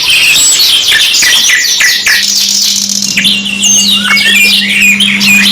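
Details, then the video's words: Canary song from a two-in-one tutor recording: quick repeated chirps and whistled slurs, busy at first, then thinner sweeping notes, over a constant low hum in the second half. "MASTERAN 2 IN 1 KENARI MEWAH | CANARY SINGING"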